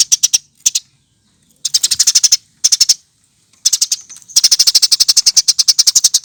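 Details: Eurasian tree sparrow lure to get birds singing: fast, dense trains of high, sharp chirps, growing into a long unbroken run of rapid notes toward the end, with silent gaps early on.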